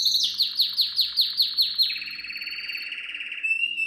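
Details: Canary song meant for teaching young canaries: bright, falling whistled notes repeated about five per second, flowing into a long, low, rapid buzzy roll that fades into a thin whistle.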